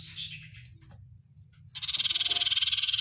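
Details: Oriental white-eye, 'sirtu isian luber banyak pedes' song: soft fading twitter, a pause, then a loud rapidly pulsing buzzy rattle building steadily to the end.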